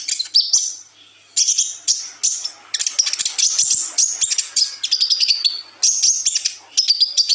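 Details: Kolibri ninja sunbird song with twists and trills, used as a master recording to train young birds: high, rapid twittering phrases in bursts separated by short pauses, thin chirps throughout.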